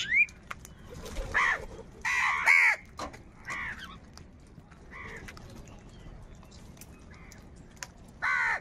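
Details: Crows fighting for food give scattered harsh, hoarse caws, some short and single, others drawn out over half a second, with quiet gaps between bursts and a soft low rumble underneath.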